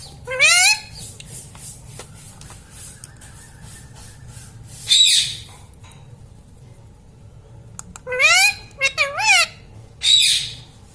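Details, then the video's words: Talking pet parrot, said to repeat mummy, papa, mithu and radhe radhe. Short, high, wavering utterances are spaced through a mostly quiet room: one at the start, one midway, then a quick cluster of three and a final syllable. "parrot talking mummy"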